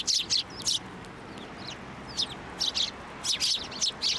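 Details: Sparrows flocking onto a hand to be fed at a Tenmangu shrine, 18 March 2024; sharp high chirps come in short bursts, several birds calling over one another with gaps between.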